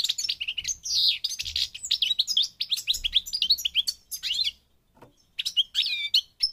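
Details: European goldfinch, Moroccan Parva from North Africa, pouring out a fast, continuous twittering song of high, tinkling notes, slurred whistles and buzzy chatter, broken by one brief pause near the end.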